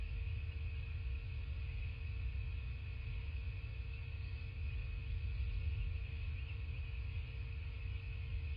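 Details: Steady low rumble with a constant electrical hum and faint high tones, no animal calls.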